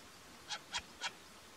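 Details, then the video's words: Short-eared owl (Asio flammeus flammeus) recorded in mountains in Härjedalen, Sweden, giving three quick, rough, barking notes in a row, evenly spaced about a quarter second apart, against a soft steady background noise. "Sumpfohreule ruf. Jorduggla läte. Mosehornugle lyd."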